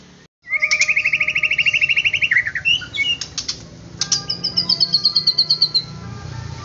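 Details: White-rumped shama song intended to excite other shamas into singing: a long rapid trill ending in a downward flourish, clicking notes, then a high, fast pulsed trill, over low rumbling noise.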